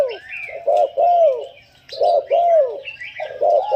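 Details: Spotted dove kept as a decoy bird, giving a steady series of low, hollow coos, each double-pulsed note followed by a longer bending coo, phrases repeating about every 1.3 seconds, with soft higher chirps from other birds in the background.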